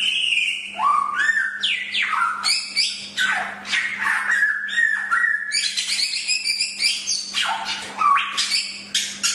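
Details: A Chinese hwamei sings a long, continuous, varied song recorded as a master track: rapid strings of whistled slides, downward sweeps and harsher bursts with dense harmonics, against a faint steady hum.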